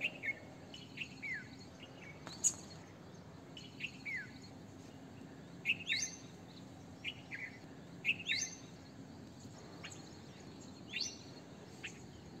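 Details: Red-vented bulbul producing a loose series of sharp falling chirps and upward-flicking notes, roughly two dozen call bursts a minute, irregularly spaced, over faint steady background noise.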